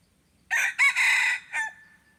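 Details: Red junglefowl decoy crowing to attract wild birds, 10 March 2022. A single loud four-beat crow, opening note, quick sharp syllable, long grating middle and a short falling finish, followed by quiet.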